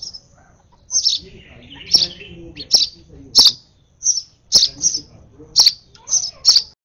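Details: Over-excited sparrow baby begging while hand-fed, giving bright, high chirps, often in pairs and growing more rapid, with faint clicks and rustling.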